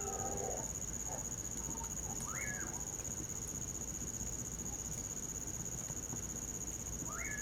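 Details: Common pauraque in winter beside a bonfire, giving two clear whistled notes that rise then slide down, about five seconds apart, over a steady high chorus of crickets and soft crackling hiss.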